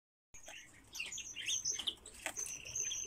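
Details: A captive-kept Pallas's rosefinch giving a run of short, high chirps and thin whistled notes, closely spaced over a few seconds, with faint background hiss.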